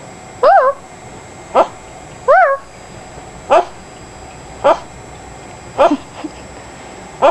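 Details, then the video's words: A pet Amazon parrot barks like a dog, giving about seven short, hoarse barks at uneven intervals roughly a second apart, over a faint steady hum. "Barking Bird"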